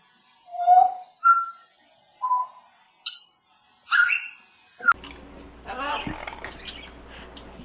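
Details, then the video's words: Parrot singing and speaking to people, giving six short whistled notes at varied pitches, one roughly every half second. These are followed by a burst of mixed, noisy sound with music-like tones and a low hum. "Parrot singing and speaking to people"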